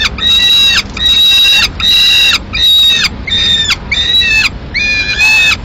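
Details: Peregrine falcon chick alone at a Madrid nest on 22 May 2016, calling for food as the female eats a swift at a window: around seven rasping, sustained squeals with sliding, descending endings, separated by short gaps.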